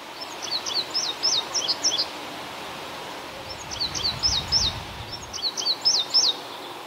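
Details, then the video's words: An indigo bunting, tagged as recorded in Canada, sings three bright, high phrases of sharp paired notes, each about two seconds long, over a faint low rumble. "Singing Birds - Indigo Bunting Bird call"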